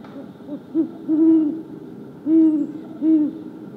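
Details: Great horned owls talking to each other in winter woodland, January 28, 2022: a short deep hoot, a longer drawn-out hoot, a pause, then two more low hoots, over faint background hum.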